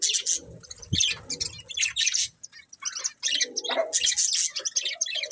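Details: Budgerigars of a breeding pair trade chirpy, squeaky warbles in bursts, with a low thump near the first second and a brief quiet spell midway.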